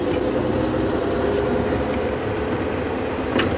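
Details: A steady vehicle engine rumbles throughout on a safari drive, with no animal calls.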